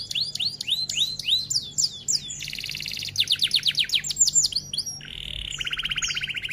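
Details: F1 canary singing a long, varied 'rol tembak' song: quick upslurred and downslurred whistles, dense buzzy rolls, more sweeping notes, then a flat tone leading into a fast even trill, over faint low background hum.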